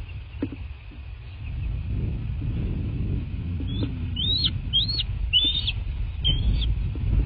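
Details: Bald eagle at its nest in a quaint landscape in southwest Florida, caught by a nest camera on 23 February 2024: a run of five high, thin whistled notes, each slurring up then sharply down, over a steady low rumble.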